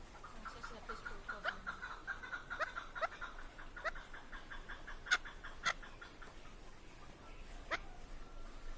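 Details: Chukar partridge, called keklik, in Tajikistan: a quiet run of short repeated chuck notes in a steady rhythm, with sharp clicks and a noisy background.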